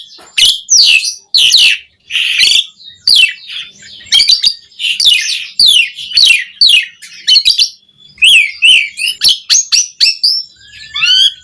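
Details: Asian pied starling singing as a model for caged birds, loud harsh chattering phrases in steady bursts, later shifting to quicker whistled slurs and a final falling whistle.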